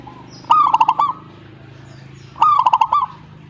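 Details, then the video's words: Answering zebra dove, two clear phrases of purring coos, each a short lead-in followed by five or six quick, evenly pulsed low notes, with a faint background hum. "perkutut jika nyaut"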